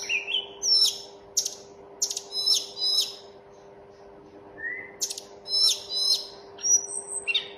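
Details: Mountain tledekan (Sunda robin) singing in bursts of sharp high chips and short trills, then a quiet pause broken by one soft rising whistle before a further run of bright notes, with a constant low hum beneath.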